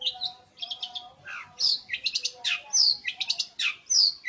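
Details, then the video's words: Long-tailed shrike (penten), described as singing vigorously day and night; loud, varied phrases mixing sharp downslurred whistles, buzzy chatter and rapid clipped notes, with a faint low hum underneath. "Penten gacorr siang malam!!"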